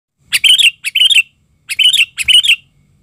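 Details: An agitated Sooty-headed Bulbul used as a lure bird calls in four harsh, chattering bursts, each a quick cluster of scratchy notes, with short silent gaps between them.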